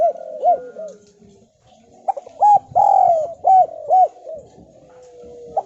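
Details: Javanese spotted dove used as a lure to prompt other, quiet doves to call and answer. A series of mellow, hooting coos, some short and rounded, one longer and drawn out, given in two bursts with a pause between, over faint indoor background noise.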